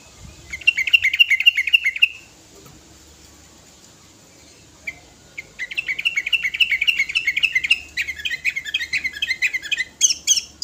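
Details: Sooty-headed bulbul aged five years, singing full material for calling other birds: a short fast chattering trill, a pause, then a long run of rapid repeated notes that grows more varied and higher toward the end.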